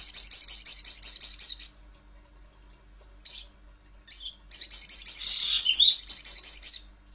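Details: Lure recording of a little spiderhunter. A long, fast string of high metallic notes stops. Two short squeaky bursts follow, then another rapid high chatter lasting about two seconds.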